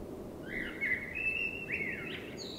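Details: Night-time spring song from a common blackbird: a flowing sequence of fluted whistles, dipping and rising, closing with thin high notes, over a steady low hum.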